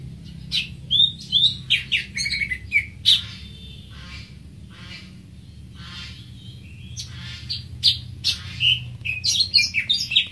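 Greater green leafbird singing a lively, varied run of high whistles, chirps and harsh squawky notes in quick bursts, with a brief lull midway and a faint low hum beneath.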